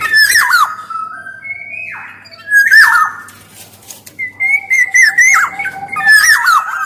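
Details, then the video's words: Black-naped oriole used as lure and tutor song, male and female: rich looping whistles alternate with hoarse downslurred squawks, several phrases within seven seconds, clear and loud, no other sounds. "SUARA KEPODANG EMAS GACOR || SUARA PANCINGAN DAN MASTERAN KEPODANG"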